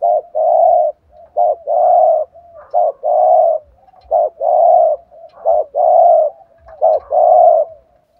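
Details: Urgent 'thúc gù' cooing from a spotted dove kept as a decoy to provoke rival males. Short and long hollow coos alternate in a fast, steady rhythm, five long notes in about eight seconds, with light clicks below.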